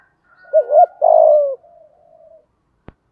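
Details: Spotted dove kept as a lure, 'giọng thổ' song: a wavy double coo and a long falling note, trailing into soft murmurs, with a sharp click near the end.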